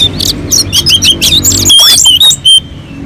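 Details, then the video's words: Orange-headed thrush singing on a mountain slope, a lure song to set other birds singing; quick series of short bright whistled notes, then a few longer slurred whistles, with low hum in the background. "kicauan anis merah sangat merdu dan gacor untuk pancingan"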